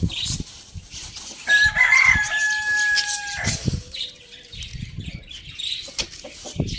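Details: Morning crow from a pet Lohmann Brown rooster at Lalukhet bird market, a steady, sustained tonal cry of nearly two seconds with a brief lower tail, amid scattered clucks, thumps and faint chirping of budgies.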